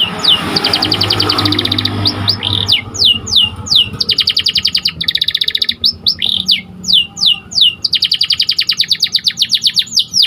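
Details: Training song of a white canary: after a brief noisy start, long runs of rapid repeated chirp rolls alternate with steep downward whistles and short buzzes.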